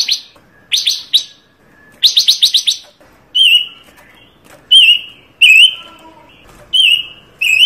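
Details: Panca Warna bird singing a richly varied song, kept as a master recording and lure for bird trapping; short buzzy bursts in quick runs, then clear whistled notes with a wavering twist repeated every second or so.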